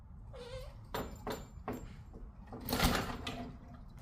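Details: Caged Senegal parrot whining for attention: a short nasal tone, then a series of harsh, rasping squawks, the loudest and broadest burst near the end, over low background rumble.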